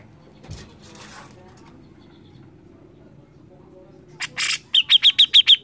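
After a few quiet seconds, a Grey-cheeked Bulbul gives two harsh, scratchy bursts, then a quick run of six sharp, high chips.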